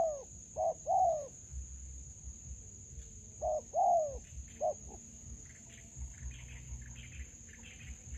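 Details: Spotted dove at a decoy trapping site in a melaleuca garden. Two pairs of mellow coos come early, then a last brief note. The rest is quieter, with faint chirps and a continuous high whine.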